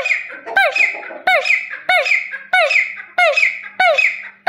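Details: Grey partridge, or desi teetar: loud, ringing calls that curve downward, repeated about every half second over an overlapping background of further squeaky notes.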